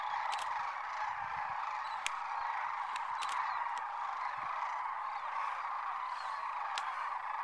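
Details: Thousands of wild sandhill cranes lifting off from their winter roost at Whitewater Draw near McNeal, Arizona: a dense, continuous rolling chorus of calls, with scattered sharp clicks and snaps.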